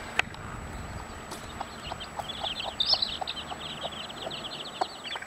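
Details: Mother hen with 15 chicks: many high thin chick peeps run continuously in dense overlapping series, with occasional soft clucks and knocks beneath a steady background hiss.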